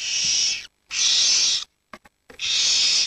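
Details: Huddled barn owl young, aged 7 to 19 days, calling while their parents hunt; three long hoarse hisses with a couple of faint clicks in the gap before the last.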